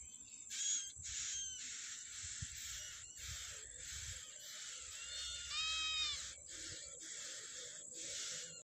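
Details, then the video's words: Yellow-bellied prinia feeding young in the wild: scratchy broadband bursts interrupted by a short cluster of clear rising whistled notes midway, with continuous high insect hum and low rumble in the background. "Burung ciblek rawa meloloh anakan nya di alam- Bird yellow-bellied prinia"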